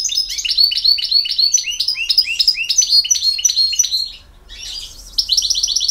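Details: European goldfinch singing in campero song style: rapid runs of bright, tinkling notes with buzzy rising-falling phrases, a short pause near four seconds, then a quick repeated trill.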